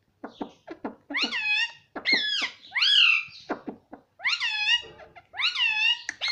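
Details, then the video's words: A pet Indian ringneck parakeet imitates Hindi words like "mummy" and "mitthu", giving loud, raspy, voice-like syllables with drawn-out falling tones, packed closely over several seconds. "mummy mummy bolta tota - talking parrot - mitthu mitthu"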